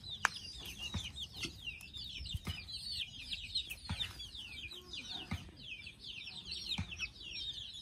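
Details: Chicks preparing for sleep: a busy flock of high, short peeps overlapping nonstop, punctuated by sharp clicks and knocks.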